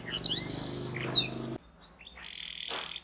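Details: Canary singing as a lure for young birds learning to sing: sharp high whistles and a drawn-out whistled note over a low steady hum, a brief pause, then a softer buzzy trill.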